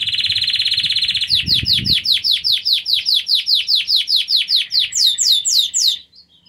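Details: Intense yellow Belgian canary in song: a steady high trill, then a series of about twenty sharp descending chirps repeated three per second, rising into higher quick notes before falling silent.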